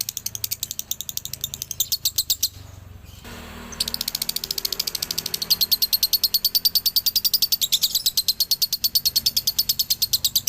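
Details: Dobelan song of a male lovebird from Ciamis, used to train other birds. A fast, shrill, ratcheting chatter repeats about three pulses per second. It breaks briefly near three seconds, then resumes louder and steadier.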